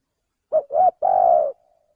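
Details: Spotted dove, tagged as male, used as a trapping lure: a short coo, a second swelling note, then a long steady drawn-out coo ending in a faint trailing tail. No other sounds.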